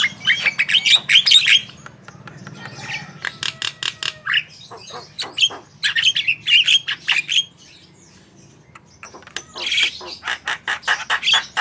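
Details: Javan myna (jalak kebo) in full lively song, used to prompt other birds to sing: bursts of harsh, broadband rattling notes mixed with squeaky whistles, in phrases separated by short pauses, with a steady low hum underneath.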